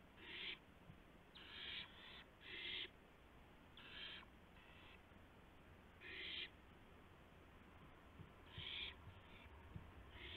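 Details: Owl bringing a gopher to its mate in the small hours of April 2, 2016, on a live camera: a series of raspy hissing screeches, some paired, about twenty-five a minute, over low background hum.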